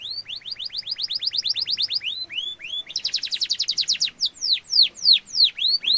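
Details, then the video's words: Canary singing to tutor young and adult birds: a rapid series of upward-sweeping whistled notes, a brief pause, then a fast high rolling trill followed by slower descending sweeps. "kenari gacor ngeroll panjang cengkok mewah efektif untuk masteran burung kenari muda dan dewasa"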